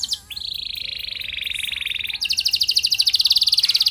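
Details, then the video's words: Canary in song aimed at getting other canaries to respond: after a short chirp, a long even mid-pitched rolling trill, then a faster, higher pulsing buzz repeated many times. "Burung Kenari gacor Nembak mantap! Buat Kenar Lain Bakal Langsung Respon Ikut Gacor Panjang"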